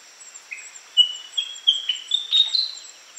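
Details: Willie wagtail giving a quick phrase of clear, whistled notes that climb step by step in pitch, starting softly and growing louder, over a steady thin high-pitched background drone.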